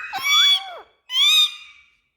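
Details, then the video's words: Two loud, drawn-out nasal squawks from speaking Indian ringneck parakeets inside a room, the first dipping at its end, the second steadier, separated by a brief silence. "Speaking Parrots🌶So Happy🎊 Indian Ringneck"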